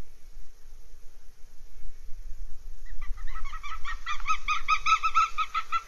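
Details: Northern goshawk at its nest in Abernethy Forest, Scotland, 3 July 2022: after three quiet seconds, a rapid run of harsh, nasal kek-kek notes starts, about two per second, growing louder to the end over low background rumble.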